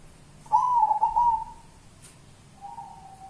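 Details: Local wild zebra dove giving its kuntilanak-style song: one soft, warbled coo phrase with a quavering, slightly rising start that fades into a steady, lower-pitched hum, followed by a brief fainter tone.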